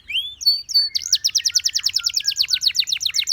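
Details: Canary song opening with a few high, thin whistled notes, then breaking into a fast, even trill of sharp repeated notes, about three per second and rapid within, bright and ringing throughout, with faint low rumble underneath.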